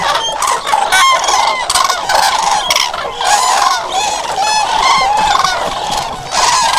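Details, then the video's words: A loud flock of common cranes, their bugling calls layered thickly over one another, some swooping upward, others steady, forming a constant clamour with brief dips in volume. "Common Crane musical chords"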